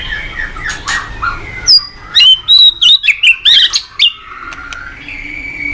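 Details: White-rumped shama in full morning song, played as a lure for cage-bird training. Soft warbles lead into a fast string of about eight loud, clear, whistled notes, followed by quieter twittering.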